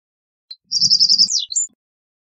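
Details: A single reed bunting strophe: one short lead note, then a rapid, buzzy stream of high chips that slides down into falling slurs and ends with a faint upward note.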